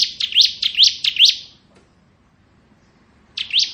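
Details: Ngebren-style song of a kristal bar-winged prinia, kept as tutoring audio for magpie robins: a fast run of four bright upswept chirps, a pause of nearly two seconds, then another chirp.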